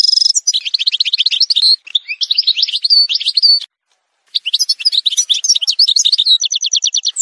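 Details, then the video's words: Algerian goldfinch pouring out dense twittering song with descending buzzy slurs, a silent gap of about half a second, then resumed chatter ending in an evenly repeated trill. "تسجيلة مونتاج روعة الكل يلقم العام هذا | chant chardonneret montage"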